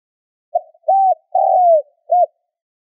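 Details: Cooing of a spotted dove used as a decoy call: one phrase made of a short soft note, a level hoot, a drawn-out coo easing downward, and a brief ending coo, with no other sounds.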